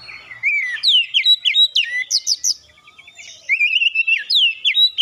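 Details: Oriental magpie-robin song used to prompt other birds to sing: clear falling whistles and quick sharp upward notes in lively bursts, a short lull, then another burst of whistled phrases.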